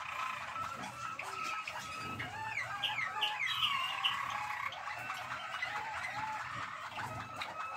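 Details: A Malinois Waterslager canary, recorded on 12 December 2023, sings a continuous run of rolling, bubbling and warbled phrases.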